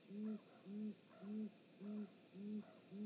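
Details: Great grey owls, a mother and father visiting their nest on a live nest camera, 19 March 2018 at 19:32; deep, short upslurred hoots with a soft overtone, repeated steadily about twice a second over a quiet background.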